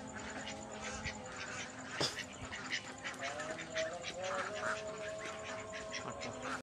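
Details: Ducks on a pond, where mandarin ducks, mallards and Pekin ducks are kept, give repeated nasal quacks in short bursts, over a steady background hum, with people talking in Greek nearby.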